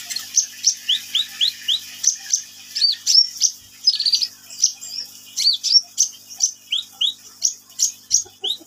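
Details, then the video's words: Sunbird in full song, a fast chattering series of high, piercing chips mixed with repeated downward whistled slurs, delivered in quick pulses about four per second with no other sounds. "KICAUAN BURUNG KOLIBRI NINJA GACOR"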